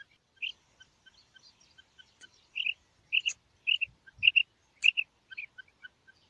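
A female rain quail gives high, clipped double notes, repeated roughly every half-second, with faint thin chirps between them and a brief low thump.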